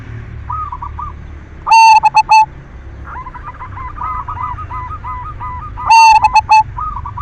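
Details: Zebra dove, silver variety, singing as a lure for other doves' breeding arousal; two loud harmonic cooing phrases about four seconds apart, with a busy chorus of faint rapid coos between them.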